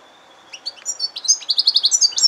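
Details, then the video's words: Singing yellow-fronted canary x canary hybrid: a thin steady whistle leads into quick, high, rolling trills and sweeping chirps that grow louder and faster toward the end. "Serinus mozambicus x canary hybrid singing"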